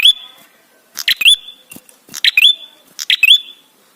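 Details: Singing ashy tailorbird, a recording used to lure tailorbirds into song: loud bursts of sharp ticking notes, each finishing with a bright rising whistle, four phrases about a second apart.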